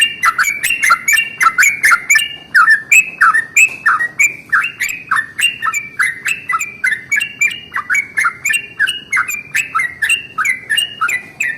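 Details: A yellow-vented bulbul delivers an extended rolling song in the morning, meant to stir other bulbuls into song: a lively, unbroken stream of bubbly slurred notes for over ten seconds.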